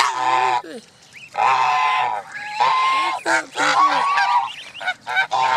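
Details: Adult Canada geese among a gathering of 29 goose families at Jess Ranch Lakes Park, May 23, 2014, give loud nasal honks in bursts, separated by short pauses, with thin gosling peeps between.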